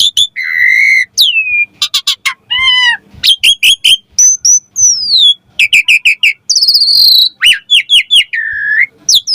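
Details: Javan pied starling singing a rich medley used to train young starlings: sustained whistles, rapid clicking rattles, falling slurred notes, sharp squawks and a long buzzy high phrase, almost without pause.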